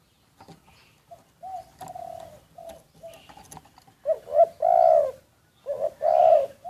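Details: Decoy spotted dove recorded on the sly: soft, low coos with faint clicks and rustles, building to louder, fuller double-note coos in the last few seconds.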